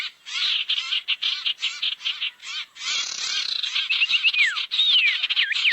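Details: Barn owls in a lure recording for gathering them: choppy harsh screech bursts, a short pause, then longer hissing screeches joined by sliding, swooping whistles near the end.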